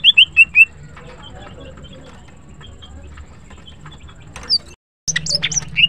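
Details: Female green cucak, the greater green leafbird, in morning song: four quick clear whistles open the clip, then near quiet, a short break, and a final cluster of high sliding notes over a low hum.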